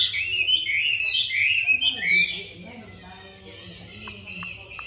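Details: Chinese hwamei singing, the bird described as turning its rump while it sings with a supple voice: rich varied whistled phrases sliding up and down, loudest in the first two seconds, then quieter notes and faint clicks.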